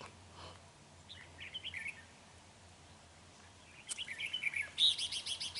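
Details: Decoy red-whiskered bulbul, big-bodied and dark-bibbed, used in trapping on 31 January 2019, gives a short liquid phrase early, then a louder burst of rich, chirpy notes near the end over steady low hum.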